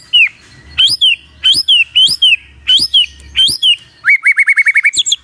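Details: Repeated upswept whistles, each curling up and then down, come about every three-quarters of a second before a quick trill of rising notes. This is a magpie-robin's morning song used to get a quiet bird answering.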